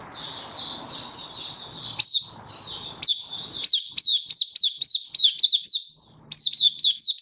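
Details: Oriental white-eye singing happily, recorded 24 February 2023: a high, fast series of sharp, downslurred chirps, roughly four per second, broken by short pauses, with a faint low hum in the background.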